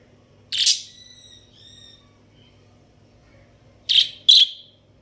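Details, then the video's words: Budgerigars, an Australian parakeet breeding pair, give a harsh chirp leading into a few soft warbling tones, then after a pause two loud rasping chirps in quick succession. "Amazing Budgies chirping sounds | Australian parakeet breeding pair"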